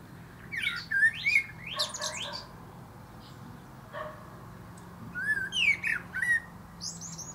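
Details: Perched atop a plum tree, a male common blackbird gives two phrases: looping fluted whistles ending in a squeaky high flourish, with a quiet pause between them.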